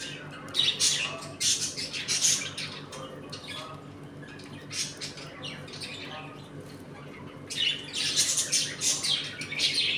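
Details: Budgerigars of a home colony at play and feeding, occasionally fighting; bursts of noisy squawking chatter at the start and end, a quieter middle, steady hum behind.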